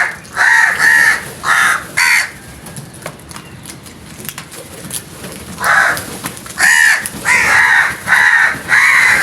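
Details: Frightened crows giving loud, harsh caws in rapid bursts of two to four calls, falling quiet for a few seconds midway before resuming with a longer run of repeated calls.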